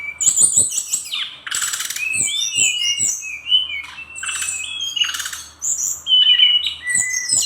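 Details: Lively brown-chested jungle flycatcher song with filler material: quick sequences of high thin whistles and sharp slurred notes, broken by loud rasping noisy bursts, delivered almost without pause.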